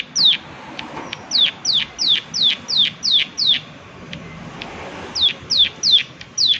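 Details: Prinia giving sharp, high, downward-sliding notes in quick rows of several, with a short pause midway, over faint background noise.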